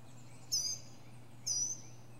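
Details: A northern mockingbird sings from the top of a pine tree, showing its range of different sounds. Two brief, high, thin whistled phrases sound about a second apart over quiet background hum.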